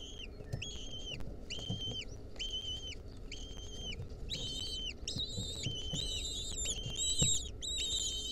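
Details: Lesser kestrel chicks in a wild nest, 2023, while a centipede clings onto them: clear flat whistled calls repeated about every half second, later becoming higher, layered and overlapping as more chicks join, with soft low rumble beneath.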